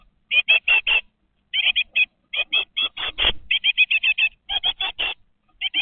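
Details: Great tit chicks, 20 days old, inside a nest box filmed by webcam, calling in fast bursts of short, high, buzzy chirps, three to six at a time, separated by brief pauses.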